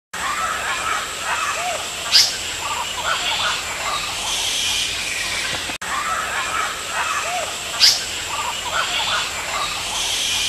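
An Indian paradise flycatcher gives a single sharp, harsh note about every five to six seconds over a steady hiss of insects and faint distant birds.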